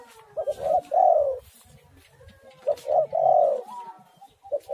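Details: Spotted dove song used as a lure to get other doves singing: two short coos, then a long, slightly falling coo, with the phrase repeated twice. Faint low rumble underneath.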